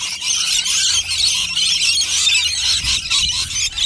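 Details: Rainbow lorikeets crowding around nectar, producing a short burst of continuous shrill, scratchy squealing from many overlapping voices, with a faint low hum beneath.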